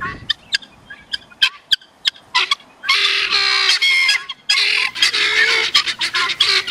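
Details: Several male helmeted guineafowl gather and give harsh, grating, repeated calls in uneven bursts, possibly as an alarm or a display to females.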